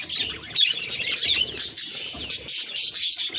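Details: Pet budgie at a mirror: a quiet opening, then loud, choppy bursts of high squeaky chirps and chatter broken by short pauses.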